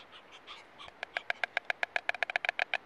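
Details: A pair of white storks, male and female, at the nest celebrating their first egg with bill clattering. Some soft, uneven sounds open the clip, then a rapid, dry, wooden rattle of sharp clacks follows at about eight per second.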